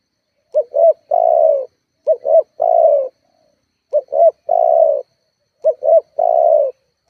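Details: Lure recording of a spotted dove for provoking rivals: four phrases, each a pair of short coos leading straight into a long, full, slowly falling coo, heard cleanly without background noise.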